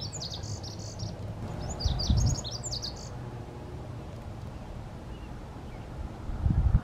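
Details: Lazuli bunting singing, filmed in May 2022: a short series of high, buzzy and sweet notes in paired phrases lasting about three seconds, over steady low wind rumble with handling thumps.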